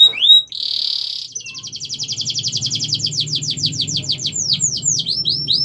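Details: Canary song used as a master recording for training other birds: a long high trill of rapid repeated notes, opening with rising whistles and a steady buzzy note, then swept notes speeding up and slowing, over a faint low hum.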